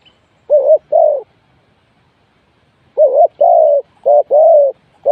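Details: Spotted dove serving as a decoy for trapping utters a short-long pair of soft coos, pauses nearly two seconds, then repeats the paired phrase twice more.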